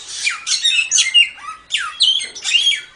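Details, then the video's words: Samyong singing lively as a master song for training songbirds: harsh squawks and falling buzzy sweeps mixed with short bright whistles, in quick bursts with brief pauses. "Suara Burung Samyong"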